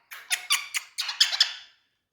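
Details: Green parrot in India producing a quick series of six or seven harsh, high squeaky notes spaced about a fifth of a second apart, recorded indoors.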